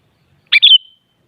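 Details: Sooty-headed bulbul phrase, played so a captive bulbul answers and sings: one short bubbly burst sliding down, then a brief warbled note trailing into a thin level whistle, in silence.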